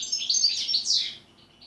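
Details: European goldfinch singing a short, bright, liquid phrase of rapid high twittering notes with buzzy slurred elements, ending in a brief quiet gap; part of a song style built on repeated notes and pauses.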